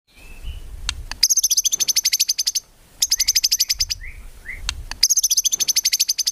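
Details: White-rumped shama (murai batu) in energetic gacor song, a training recording full of tembakan phrases with no ngukluk notes: very high rapid machine-gun trills in long bursts, a few short rising whistles between, faint low rumble beneath.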